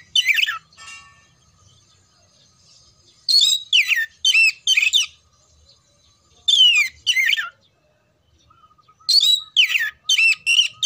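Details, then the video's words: Oriental magpie-robin song played to train contest birds: loud bursts of sharp, sweeping whistled and chattering phrases in short clusters separated by pauses of one to two seconds, with a faint steady tone between phrases. "TERAPI SUARA KACER KHUSUS BUAT MELATIH MENTAL KACER SIAP LOMBA"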